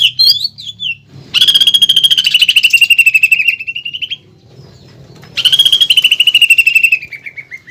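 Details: Training song of a caged greater green leafbird with pelatuk bawang filler, a tune sought by contest judges: two long, fast, buzzy trills that slowly fall in pitch, separated by a few seconds of near silence.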